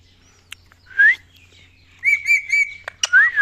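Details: A pet ringneck parrot, described as angry and fighting, gives rising whistled calls and a long, level, pulsed note, with scattered sharp clicks in between.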